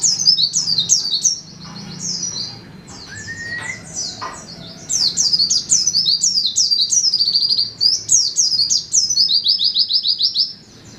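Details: Indonesian white-eye, locally pleci, singing 'setan timur' style: long, dense, high-pitched twittering with quick chirps repeated several times a second, briefly interrupted by a short lower whistle.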